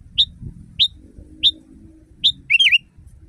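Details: Sooty-headed bulbul, loud natural song used to train caged birds: four single clear whistled notes spaced about half a second apart, then a fuller rolling warbled phrase, over low background rumble.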